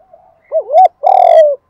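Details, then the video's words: Spotted dove decoy in 'thổ' voice style, calling to attract doves: a soft lead-in, a looping wavy coo, then a loud, long, buzzy coo with bright overtones. "Chim Cu Mồi_ cu gay giong tho cuc dinh Thúc + gáy gọi bbooir nghe nhanh về và nhanh gáy"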